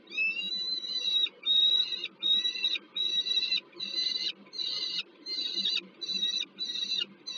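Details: Peregrine falcons at a nest on Termika Żerań, Warsaw, Poland, in August 2022, with food brought to a youngster: rhythmic, nasal, harmonic calls repeated rapidly over a soft low background hum.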